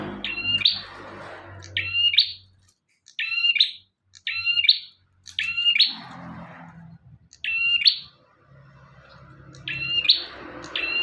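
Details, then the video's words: Bar-winged prinia repeating short, high, scratchy double-noted phrases about every second, with brief pauses between them. Low hum and rustling fill the background. "Burung prenjak tamu / prenjak omah gacor"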